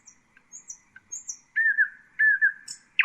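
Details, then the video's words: A common nightingale (Luscinia megarhynchos) delivers soft high whistles and scattered notes, then two rich sliding whistled phrases and a final burst of loud chirping; quiet background. "Common nightingale,beautiful birdsinging"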